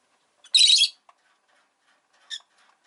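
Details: A rosy-faced lovebird among five caged birds by a window in winter, giving one loud harsh screechy squawk lasting under half a second, then a faint short chirp.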